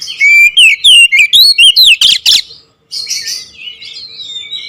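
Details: Oriental magpie-robin singing in the rapid, continuous 'nembak ngerol' style: loud, varied whistled phrases sliding up and down, dense bursts of notes for two seconds, a brief pause, then softer warbling.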